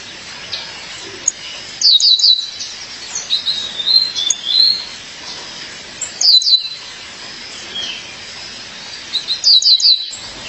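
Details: A female Violaceous euphonia calls her partner: three bright bursts of quick, high, falling chips about four seconds apart, separated by softer, thin, warbled notes.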